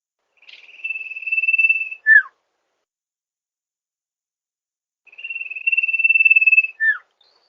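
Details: Master recording of the sirtu for drawing birds in at rice fields: two identical phrases about five seconds apart, each a thin pulsed trill swelling in volume and closing with a quick descending note.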